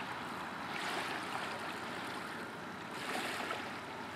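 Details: Surging wash of waves and surf, rising and falling, with no animal voices.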